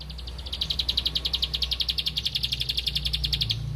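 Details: Bar-winged prinia (ciblek padi) looking for a rival: a steady, fast series of bright, high ticking notes lasting about three seconds, over a constant low hum.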